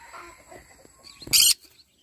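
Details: Morning singing from a yellow-sided conure, heard here as a single loud, raspy screech of about a quarter second that follows a quiet stretch of faint murmuring.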